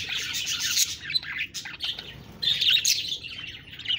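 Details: Budgerigar chatter in short bursts: scratchy, high twittering and sharp chirps, a brief lull just before the midpoint, then a louder run of warbled squeaks.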